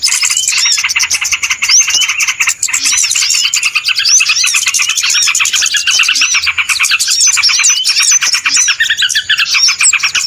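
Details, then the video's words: Small birds, lure recording used for trapping: a dense, noisy chorus of overlapping high chirps, twitters and short upswept whistles, continuous throughout with no pauses. "SUARA PIKAT BURUNG RIBUT"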